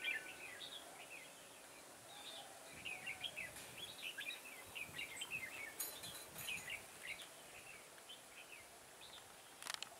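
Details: Red-whiskered bulbul decoy in a garden trapping set-up on 9 October 2017, pouring out a dense continuous stream of quick warbled whistles through the middle, with clicks and a crackle at the end.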